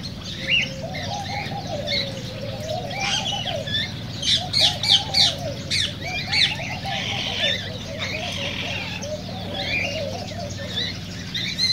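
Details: Cockatiel chorus meant to encourage breeding and song: many birds chirping at once in busy bursts of short squeaky notes, over a continuous rolling low warble and a background hum.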